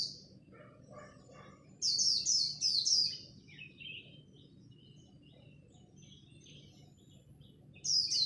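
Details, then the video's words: Japanese white-eye performing khuyên líu competition song at dawn to get newly caught birds singing: a run of four sharp, high, downslurred notes, then softer lower chirps and quiet twitters, with a final high burst over a low hum. "Khuyên líu đấu lúc bình minh, kích bổi mau nổi!"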